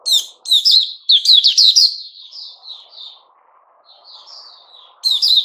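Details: White-rumped shama song from 29 August 2021: short emphatic chattering notes lead into a loud, rapid whistled phrase, which fades into quieter sliding whistles before another sharp burst.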